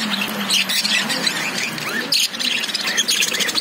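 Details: Lovebirds chirping in their cage: bright squeaky notes and short rising whistles over a busy flock chatter, with a low steady hum underneath.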